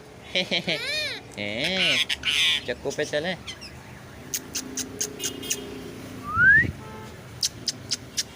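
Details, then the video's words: Two pet rose-ringed parakeets chatter back and forth in imitated Urdu speech: nasal, wavering speech-like phrases, then spaced dry clicks and a single quick rising whistle. "Talking parrots naughty couple of mian mithu funny talk each other"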